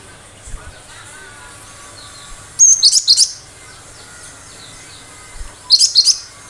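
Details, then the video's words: Cinereous tit in full sharp song, used to draw responses from other birds: a rapid burst of four or five high, piercing chirps, then a quieter pause and another similar burst. "Tembakan tajam burung lain yang mendengar pasti langsung respon"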